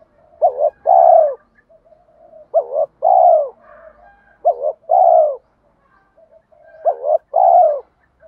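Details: Spotted doves, cock and hen, giving calls used to excite cooing in trained birds. Four clear phrases, each a short trembling double note plus a drawn-out descending coo, roughly every two seconds, with soft muttering between.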